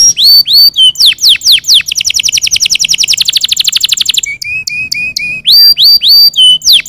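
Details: Canaries singing to stimulate other birds to sing: loud, varied high song of sweeping whistled notes, then a fast rapid trill of about two seconds, followed by steady repeated whistles and more downward sweeps.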